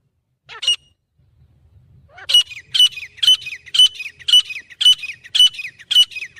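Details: Grey francolin (teetar) in Pakistan announcing its territory, a call mostly heard in the morning or evening: one short note, a pause, then eight loud harsh high squawking notes in a steady series about every half second, low rumble beneath.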